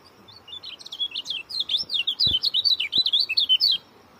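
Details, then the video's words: Rapid, dense song of an Oriental white-eye (kecial kuning) in the short-speed style: a run of about twenty quick, high, up-and-down warbled notes over three seconds, with a few soft clicks beneath. "joss rapat.. bikin kecial kuning lain ikut ketar ketir"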